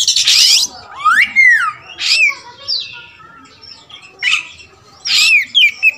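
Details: Oriental magpie-robin, all-black wulung raja form, giving a varied song of looping slurred whistles, rising and falling sweeps and short scratchy bursts with long gaps between phrases.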